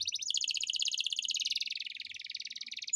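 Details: Atlantic canary in full song, used as a lure to get lazy canaries singing: one long, fast, even roll of rapidly repeated high notes, steady throughout and drifting slightly lower near the end.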